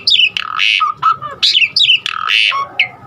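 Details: Asian pied starling, a varied song full of mimicked fill-in notes meant to get other starlings singing: harsh squawks alternating with slurred whistles, loud bursts every half second or so.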